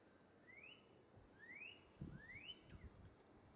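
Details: A Northern Cardinal sings high in the treetop branches, calling to its mate: three clear, rising whistled slurs, about one a second, over a low rumble of background noise.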